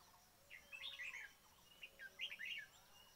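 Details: Red-whiskered bulbul calls played to trap the birds: two bright, bubbling chirped phrases about a second apart, each a quick run of warbled notes, over a light background hiss.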